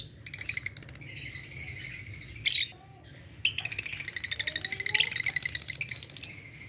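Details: Green adult Fischer's lovebirds at morning time, with rapid, evenly pulsed high chattering runs broken by a sharp squawk and a short pause, over a low background hum.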